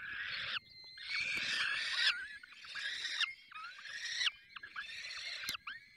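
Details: Falcons at their nest in the Barycz Valley during feeding: harsh, rasping calls about half a second to a second long, repeated with short gaps, with a thin steady whistled tone running beneath and a sharp click near the end.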